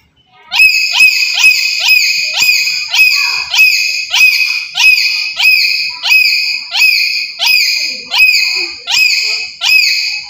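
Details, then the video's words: Black-capped lory, a very active bird kept for use as a trapping lure, giving loud, ringing calls with a rising hook at the start, repeated quickly about twice per second for ten seconds, with faint thumps behind. "Sekali Pancing Saja Langsung Burung Nuri Apapun Bunyi"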